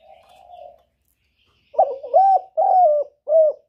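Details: A spotted dove calls to lure others into a trap: a faint soft coo, a pause, then a loud phrase of four mellow, husky coos, the last one short.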